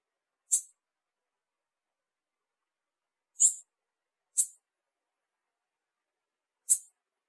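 A female blue-black grassquit gives four short, very high, thin chips at irregular intervals, calling to excite a male; otherwise quiet.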